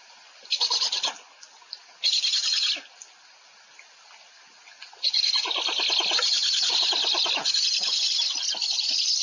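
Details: Black stork during an afternoon feeding in Łódź on 20 July 2020: two short hissing bursts, a quiet gap, then a long unbroken stretch of loud, rattling, wheezy calls.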